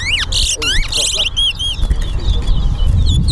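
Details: A chestnut-bellied seed finch (towa towa) at a bird-singing competition in Berbice, Guyana, gives rapid, bright whistled phrases of quick sweeping and trilled notes, with a steady low rumble and voices counting its phrases aloud behind.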